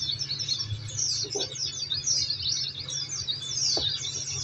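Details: Oriental white-eye song played as a training recording meant to make caged birds answer; dense, high, rapid twittering runs continuously with steady low hum beneath and a few faint lower knocks.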